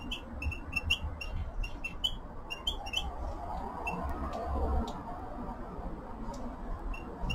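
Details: Red-fronted serin: a run of short, bright chirps repeated about every third of a second for the first few seconds, then sparser single notes, over a steady low rumble of background noise.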